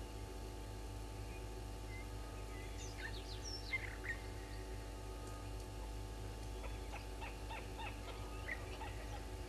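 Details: Fork-tailed drongo at Gowrie dam waterhole, Djuma Game Reserve, Sabi Sand, South Africa, at 06:46 on 31 August 2021, giving scratchy, metallic, twanging notes in two loose bursts, the second a quick series of short chips, over a steady low hum.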